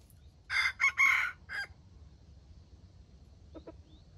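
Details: Red junglefowl decoy bird in a trap, fighting with a wild bird it has lured: a loud harsh broken crow of four bursts in about a second, then quiet with a faint short call near the end.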